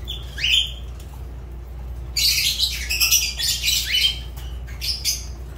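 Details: Pet Fischer's lovebird: a single rising shrill squeak, then a dense run of loud harsh chattering squawks lasting several seconds, with a low background hum.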